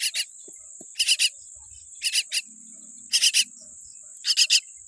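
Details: Young common myna chick with a weak beak, producing clusters of two or three harsh, buzzy rasps roughly every second. A steady high-pitched whine continues throughout, with brief low murmurs.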